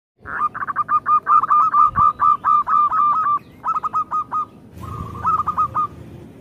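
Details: Local Indonesian zebra dove song, used as a lure to get lazy doves singing: rapid series of short cooing notes repeated in bursts, with brief rolling trills and a short pause before a final run.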